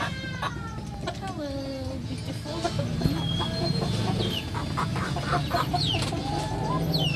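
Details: Free-range Sasso chickens on a provincial farm in the Philippines cluck and call in short, repeated notes over a busy background, with a voice and other birds heard faintly.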